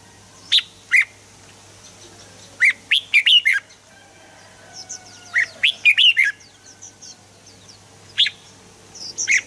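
Red-whiskered bulbul giving bright, bubbly whistled phrases in short bursts every couple of seconds, with a faint steady hum underneath.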